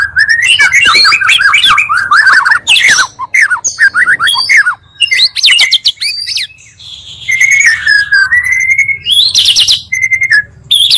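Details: Two magpie-robin voices mixed as a lure to excite other birds: dense, overlapping chattering phrases and quick whistled notes, then drawn-out clear whistles and buzzy bursts, continuous and loud.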